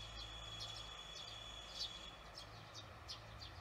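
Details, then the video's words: Barn swallows calling at dusk on June 18, 2020; thin, high, slightly downslurred chirps spaced irregularly, with a persistent high whine and soft low background rumble. "저녁시간 제비"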